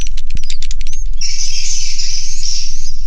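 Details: Swiftlets in a swiftlet house: a second of spaced sharp clicks, then an unbroken, shimmering high twittering chorus from many birds, over a low steady hum.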